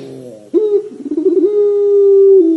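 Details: Barbary dove in a long cengkok coo: a quick trilled wavering opening that settles into a smooth, even low hum held for over a second before dropping slightly.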